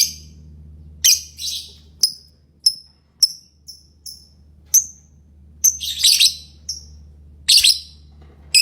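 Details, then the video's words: Lovebird singing and chirping: sharp, high chirps with short falling tails, scattered among louder harsh, rasping bursts, irregularly spaced over several seconds above a faint low hum. "Love bird singing & chirping sounds"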